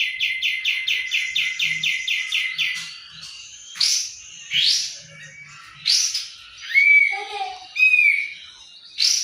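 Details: Possible sooty-headed bulbul, its identity in doubt against the bird known as jenggot, opens with a fast run of about a dozen identical chipping notes, then harsh rasping bursts and a few rising, bright whistles.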